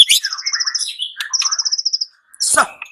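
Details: White-rumped shama (murai batu) repeating two fast rattling series of evenly spaced high notes between lower warbles, with a sharp noisy sound near the end.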